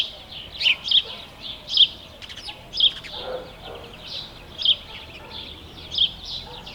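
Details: House sparrow calling with loud, sharp chirps at uneven intervals, about six clear notes, with softer chattering between them.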